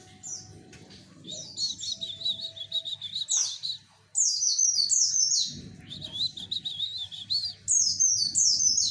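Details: Javan white-eye song used to lure males into singing: bursts of rapid, high, thin twittering notes with cascading descending phrases, separated by short pauses, over a faint low rumble.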